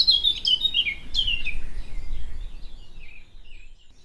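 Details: Eurasian blackcap song, a nesting species at Gibraltar Point, Lincolnshire, favouring mature woodland, hedgerows and scrub: a rapid run of clear, fluty warbled notes that slide downward and fade off, over a low rumble of wind.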